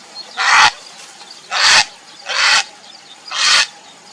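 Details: A Grey Heron (Ardea cinerea) calling for a mate gives four harsh, rasping croaks, each short and hoarse, roughly once a second at uneven gaps, with quiet background between.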